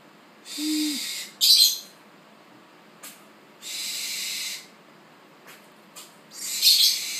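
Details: Captive Spix's screech owl chick, born 1 September 2013, at its first feeding with eyes not yet open, begging for food with harsh, hissing screeches about a second long, repeated with short gaps, plus a few soft clicks.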